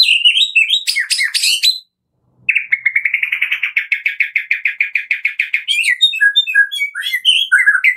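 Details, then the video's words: Murai batu (white-rumped shama) kretekan lure song for stimulating other shamas: harsh scratchy notes, a pause, then a long rapid rattle of about twenty identical clicking notes, ending in varied high whistles. "PANCINGAN JAHAT KRETEKAN MURAI BATU GACOR 100% AMPUH buat Pancingan murai batu pastol agar bunyi"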